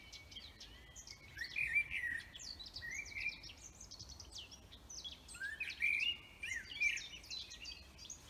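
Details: Several birds singing in a forest: bright whistled phrases and rising, chirpy notes overlapping in bursts, with a faint hiss of background noise underneath.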